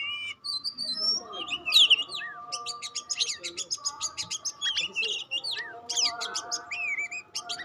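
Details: Oriental magpie-robin, pastol type, in a rich song: varied whistled slurs, then fast runs of sharp repeated chip notes, rising and falling whistles, and a faint steady hum underneath.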